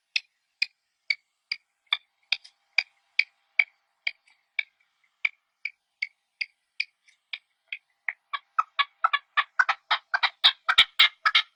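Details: Partridges in their natural habitat give short, sharp chirps repeated about twice a second, steady at first, then quickening and crowding together into a dense, overlapping burst toward the end.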